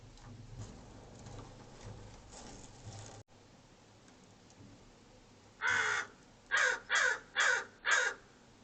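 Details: An American Crow at a bird feeder camera in Monterey County, California, on 4 April 2023: five harsh, hoarse caws, one alone, then four in quick succession about half a second apart, after several seconds of low background hum.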